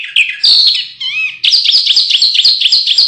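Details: Canary song used as training audio for contest birds: loud, high, rapid chirps and warbled phrases, then a steady rolling trill of quick repeated syllables, with no other sounds.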